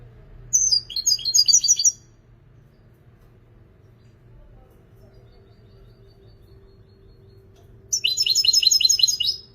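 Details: European goldfinch praised as a creative singer: two separate bursts of fast, high, tinkling trills, the first about one and a half seconds long, the second after a quiet pause of some six seconds with steady low hum.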